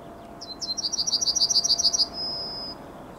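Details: Yellowhammer morning song from 9 May 2021: two introductory chips, then about twelve fast, high, rattling repeated notes ending in a long, thin, level drawn-out note.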